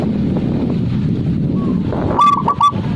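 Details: Zebra dove giving a few quick, clipped cooing notes near the end, bright and slightly nasal, a sound said to be liked by dove collectors, over a steady low rumble of background noise.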